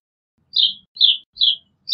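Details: Brambling giving short, downslurred chirps repeated about every half second, four in a row, clean and close with no other sounds.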